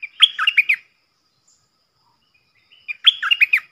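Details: Stripe-throated bulbul kept as a decoy, its song played so young birds copy it and wild birds come in: two short bubbly phrases of rapid falling whistles, separated by about two seconds of silence.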